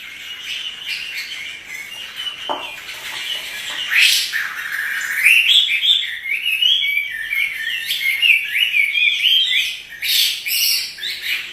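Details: Caged Chinese hwamei singing vigorously; long varied sequence of loud whistles, sharp upward slurs and rapid warbled phrases, building in intensity toward the end.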